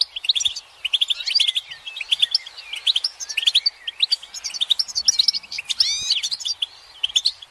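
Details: Male-stimulating twitter of many European goldfinches, heard as mating and readiness calls: bright chirps and rolling trills in dense waves, swelling into a loud sweeping burst near the six-second mark.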